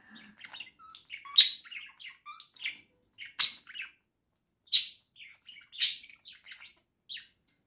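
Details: Indoor caged budgerigar pair twittering: soft chattering notes interrupted by loud harsh squawk-like bursts roughly every one to two seconds.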